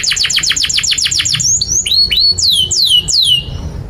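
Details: Canary song used as a master recording for young canaries learning to sing: fast repeated downward-sweeping notes, about ten in a row, then separate high whistled slurs falling in pitch, bright and loud.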